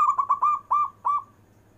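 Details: Zebra dove, local bird of a prized kind, singing: a quick stuttering series of six mellow coo notes that slow and fade, over faint low hum.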